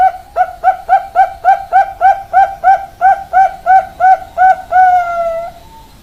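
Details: Zebra dove, local and Bangkok type, in full song: a rapid series of about fifteen short rising coos, roughly three per second, ending in one drawn-out falling note.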